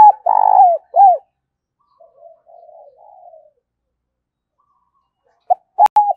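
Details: Caged decoy spotted dove used as a lure, calling: a loud phrase of low arched coos with a longer throbbing middle note, fainter soft cooing after it, then the phrase starting again.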